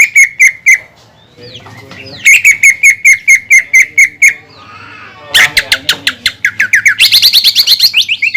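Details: Loud greater green leafbird song used as a lure to make other leafbirds sing: short runs of sharp repeated notes split by quieter gaps, building into dense, rapid, higher-pitched chattering phrases near the end, with a soft low hum beneath.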